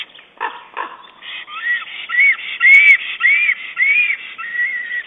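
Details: At a nest camera on 22 April 2009, a male black stork calls his mate as he arranges twigs and moss; a few rough notes open into a steady series of arched whistles, roughly two per second.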